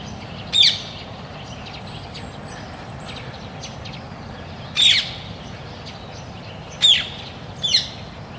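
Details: Rose-ringed parakeet, a noisy species introduced in Europe, gives four short, harsh, high-pitched screeches spaced irregularly a second or two apart, over a steady low background hum.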